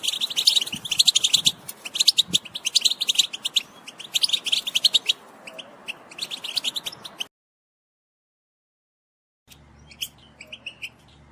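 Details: European goldfinches chattering together to excite goldfinches into song; about seven seconds of quick high twittering, then silence, followed by a few chirps over a low steady hum.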